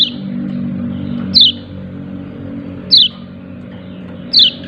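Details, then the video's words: Yellow-breasted white-eye calling "ciak ciak", three loud high chirps that slide downward, about one and a half seconds apart, over a low hum. "Pleci dada kuning memanggil ciak ciak"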